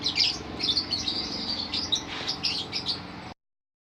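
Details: Lovebird in ngerol song, a rapid continuous stream of shrill squeaky chirps for about three seconds, then the sound cuts off abruptly.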